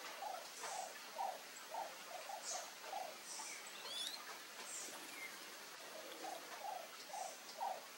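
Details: Wild scaled dove in Brazil gives a low, hollow cooing phrase of short notes repeated in rhythmic groups, with faint higher chirps from other birds or insects in the background.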